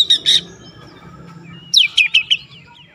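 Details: Oriental magpie-robin (kacer) singing in the gacor ngotot style, bongkar isian: two short bright chirps open, then after a pause a descending whistled slur and three sharp high chips, with a low background hum.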